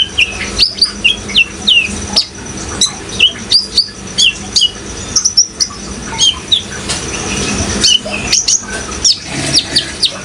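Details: Vigorous song from a Brown-throated sunbird with running water behind: clusters of high chirps and quick downslurred whistles come in bursts, separated by brief pauses, all over a constant watery rush.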